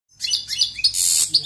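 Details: A European goldfinch sings a long song: a quick, high, tinkling run of liquid twitters and chirps, with a brief buzzy trill near the end and no other sounds.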